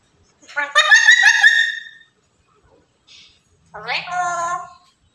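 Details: A black-capped lory, described as a talkative, chattering bird, makes two drawn-out, nasal, harmonic vocalizations. The first is a wavering, voice-like call; the second rises, then falls, with a low hum beneath it.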